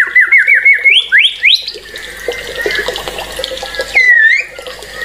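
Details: White-rumped shama song opening with a quick run of repeated rising whistled notes, then a quieter stretch with a steady tone, and a final looping whistle.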